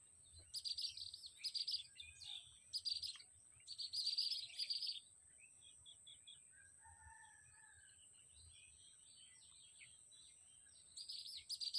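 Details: Baya weavers at their nests atop a palm tree; loud bursts of buzzy, scratchy chattering come in clusters for about five seconds, then softer twitters and a lower trill, over a constant high insect-like hiss.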